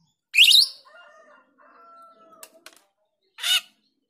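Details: Female jalak rio, the Grosbeak starling, calling as a lure: a harsh, grating burst opens the clip, then quiet drawn-out tonal notes, a few sharp clicks, and a second rasping burst near the end.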